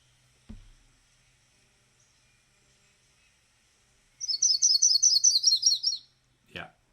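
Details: Yellow-rumped Warbler (Myrtle) song: a slow, loose trill of about a dozen high, fat, separate notes over two seconds, dropping at the end, then a click and a brief voice.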